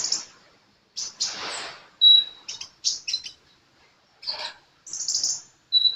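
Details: Sunbird in energetic song: separate bursts of high, sharp chirps and short thin whistles, with silent gaps between phrases and one hissy, scratchy burst near the start.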